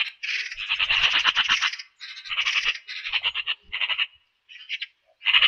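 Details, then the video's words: Harsh rattling chatter of a Eurasian magpie: an opening rattle of rapid rasping pulses lasting over a second, then several shorter grating bursts separated by short gaps, clean with no background noise. "RECLAMO de la URRACA Canto Limpio"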